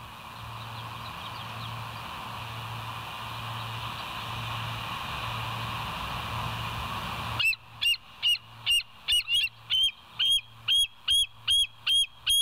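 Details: Bald eagle recorded by a West End nature cam at 06:21 on 7 July 2023: a long stretch of hiss and low hum gives way to about a dozen piercing, squeaky whistled notes in a quick, fairly even run.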